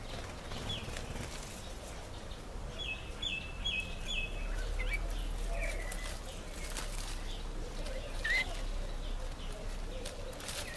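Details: A red-faced mousebird (Urocolius indicus) in a nectarine tree gives a run of four short, clear whistles on one high pitch, with a few lower notes, over a steady low rumble of wind.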